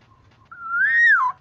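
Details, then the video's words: Kepodang, the black-naped oriole, giving a lure call to draw other orioles into calling: one clear, fluid whistle that holds level, rises, then sweeps down, over a faint steady background tone. "Suara burung kepodang"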